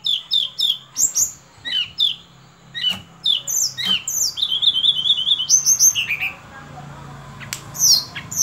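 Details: Sunda robin in varied song, mixing quick descending whistles, short chirps and a rapid warbled passage, very high-pitched and lively, with a faint low hum underneath.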